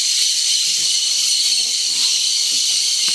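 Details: Cobalt-winged parakeets at a salt lick in Yasuni, Napo, March 2015: a dense, continuous wash of high chattering calls from many birds, steady throughout with no pauses, faint low knocks beneath.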